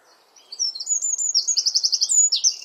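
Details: A Eurasian wren sings close by in a garden where it nests: shrill, high-pitched notes build quickly into a fast, even trill of about ten pulses before a final descending phrase.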